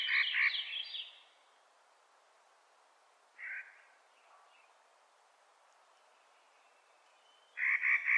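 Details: Clark's nutcracker calling in spring: a short burst of rapid, grating, stuttered notes opens the recording, then a quiet pause with one brief note, and another fast harsh burst closes it.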